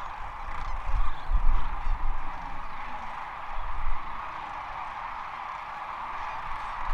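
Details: Large flock of sandhill cranes (Antigone canadensis) landed for the night on Platte River sandbars, Rowe Audubon Sanctuary, Gibbons, Nebraska, spring migration, March 23, 2023, disturbed by a passing Bald Eagle: dense rolling, rattling bugles over rumbling wind gusts.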